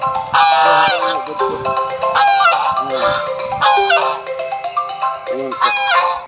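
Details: Backyard farm geese, kept as noisy guards that chase people even at night, honk loudly and continuously, harsh nasal calls overlapping in quick bursts, some rising and falling in pitch.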